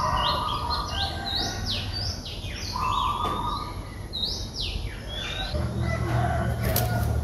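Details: Streak-eared Bulbul chicks aged three days, in their nest at Ubon Ratchathani, Thailand, 5 April 2023. Quick, overlapping high notes sweep up and down in runs, with a steady mid-pitched hum and low background noise.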